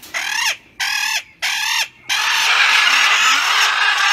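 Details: Loud calls from a breeding pair of Blue-headed macaws, also called Coulon's macaws: three harsh, grating squawks about half a second each in quick succession, then a sustained rough screech running to the end.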